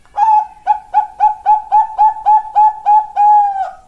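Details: Young Bangkok-type zebra dove repeating short, clear, slightly rising coos about three and a half per second, roughly eleven in a row, finishing with a stretched final note, given as a pancingan lure song in a quiet setting.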